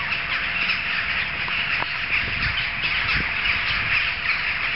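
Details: Jackdaws massed together, audible from several streets off, give clear, clipped 'chak' calls rising out of a dense background chatter. Several distinct louder calls punctuate the constant flock noise.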